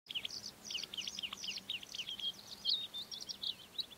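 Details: Bluethroat singing: rapid series of short buzzy, high chirped notes repeated in quick groups, then shifting into varied twittering and squeaky phrases, with steady faint low hum underneath.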